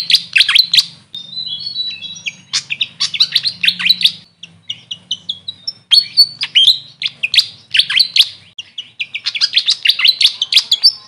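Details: High, thin chattering notes and squeaky, upslurred whistles from a grey fantail, the bird known locally as Maria Capra, delivered in rapid clusters separated by short gaps, over a low background hum.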